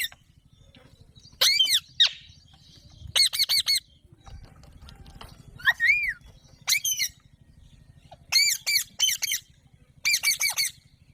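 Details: Alexandrine parakeet calling in clipped, ringing notes, often in quick pairs or triplets, with one drawn-out upward-curving call, over a steady low hum.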